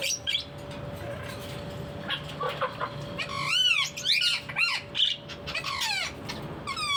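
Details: Parrot giving a run of loud, harmonic, sharply rising and falling squawks and whistled notes in quick bursts, some arching up and down in pitch, over a faint steady hum and low background rumble.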